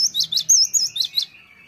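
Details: Cinereous tit lure sound for prompting quick, persistent answering song: a brisk series of high, piercing two-part notes, ending in a thin, level whistle trailing off.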